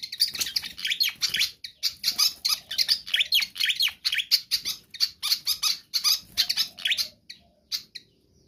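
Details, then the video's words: Pied fantail in full, energetic song, used as a lure or tutor for other birds: rapid, dense bursts of high chattering and twittering notes, short phrases repeated almost without pause, with brief breaks near the end. "Sikatan Kipas GACOR ISTIMEWA"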